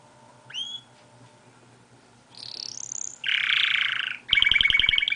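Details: Pet canary singing outside its cage: a brief upward whistle, a pause, then a high sweeping phrase, a dense buzzy note and a fast metallic trill of rapid repeated clicks. A low steady hum runs underneath.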